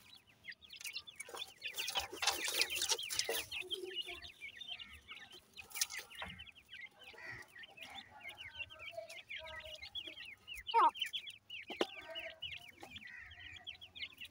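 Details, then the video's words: Feeding grey francolin chicks give rapid strings of short, high, downward-sweeping peeps, many birds at once. A broad rustling noise comes in around the second and third seconds, and a single louder chirp stands out near the end. "calling bird teetar chicks,irani francolin chicks feed"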